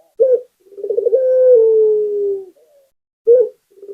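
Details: Singing local puter dove: a brief hoarse note, then a quick rolling trill that runs straight into a drawn-out level coo dropping slightly in pitch, followed by the clipped opener of the next phrase.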